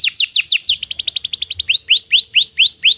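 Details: Belgian canary singing, used to train non-singing canaries: quick falling whistled notes run into a rapid trill, then slower rising upswept whistles repeated evenly.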